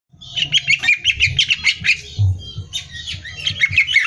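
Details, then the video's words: Greater green leafbird in lively competition-style song used as training material for song contests: rapid series of loud, chattering notes and slurred whistles, bursts repeated in quick succession, with a steady low hum beneath. "Cucak Hijau Gacor Hiper Ampuh Buat Bahan Lomba"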